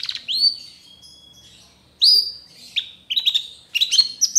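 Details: Long-tailed Shrike tutor song in trotol style, full of varied notes: a rising whistle held as a long thin tone, a pause, another upswept whistle, then clusters of sharp clipped chips.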